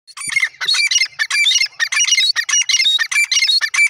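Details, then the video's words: Iranian white francolin calling in a dense run of harsh squawking notes, repeated rapidly with little pause, several overlapping voices. "irani gora teetar ki awaz"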